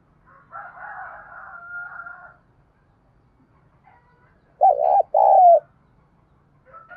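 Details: After two seconds of faint, higher humming sounds and a pause, a Spotted dove gives a loud pair of hollow coos in the 'thúc gù' style used to lure wild birds.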